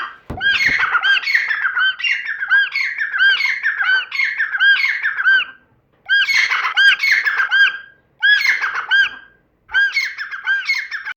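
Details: Grey francolin, known locally as teetar, giving bursts of ringing, arched, repeated notes in rapid runs, broken by short pauses and silent gaps; no other sounds stand out.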